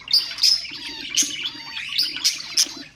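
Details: Pet budgerigar sounds for stimulating other birds: a few clear high whistled chirps mixed with soft chattering warble over three seconds.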